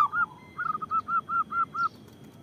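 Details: Local zebra dove cooing for luring and provoking others: one brief ringing note, then a steady run of eight soft, evenly spaced coos at about four per second.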